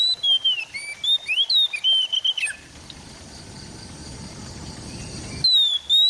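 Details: Oriental magpie-robin (kacer) from East Java on an Android recording for rousing a silent bird. Rapid varied whistles, rising and falling slurs, for two and a half seconds, then a noisy gap, then a clear whistle again.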